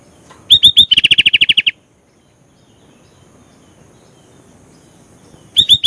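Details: Sooty-headed bulbul (kutilang) singing at full energy, its song stuffed with isian filler phrases: two bright bursts, each of a few sharp, upward-flicked high whistles, one then running into about a dozen rapid clipped notes, between long quiet pauses.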